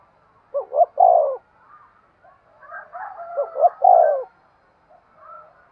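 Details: Spotted dove cooing to urge and stimulate other doves: two phrases, each of two short rising notes and then a long, low, throaty coo, with faint softer calls between them.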